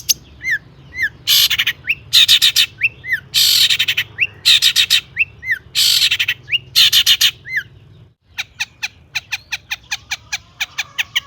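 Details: Long-tailed shrike (cendet) singing intensely with full mimicry fill-ins, used as a lure to make other shrikes sing: harsh broadband bursts alternating with short downslurred notes, then a brief pause and a steady series of sharp clicking notes.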